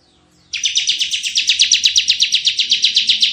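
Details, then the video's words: Tembakan song of a vigorously singing Bar-winged prinia, meant for luring and tutoring: after a brief quiet start, a rapid string of sharp buzzy pulses runs to the end, with faint low murmuring underneath. "suara tembakan CIBLEK GACOR"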